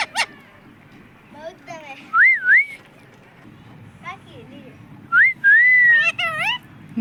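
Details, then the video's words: Talking pet parrot said to speak "mummy papa": wavy looping whistles and a long level whistled note, broken by short harsh chattering syllables and soft human speech in the background. "mummy papa bolne wala tota"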